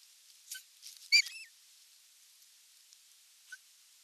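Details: Osprey at its nest during an evening feeding on 30 June 2022, picked up by a nest camera: one short, sharp, whistled chirp with a falling tail amid faint clicks and a few soft ticks.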